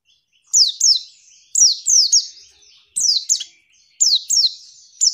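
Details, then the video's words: A female white-eye gives high, thin downslurred notes in quick pairs about a second apart, a call used to provoke male white-eyes into answering and singing quickly as in the wild. "pleci manggil lawan bikin lawan emosi"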